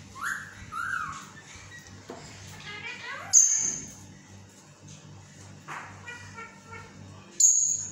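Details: Pet yellow parrot in a talking mood, producing speech-like phrases: short harmonic, voice-like syllables with rising and falling inflections, scattered over several seconds with pauses, plus two sharp high clicks and faint steady background hum.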